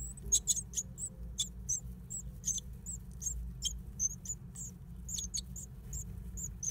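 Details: Great tit nesting in an old stove; a run of brief, high-pitched squeaky notes, several per second at times, with scratchy clicks and a steady low background rumble.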